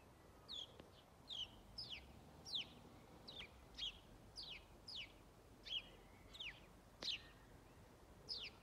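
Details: House sparrow, a single bird calling loudly on Strömgatan in Haga, 21 December 2022: a steady series of about twelve bright, falling chirps, spaced roughly every half to three-quarter second, with faint low background hum.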